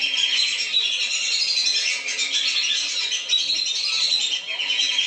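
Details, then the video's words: Short burst of a lesser whistling duck lure: a flock's piercing whistles overlap into one dense, steady chorus. "SUARA PIKAT BURUNG BLIBIS. jamin turun"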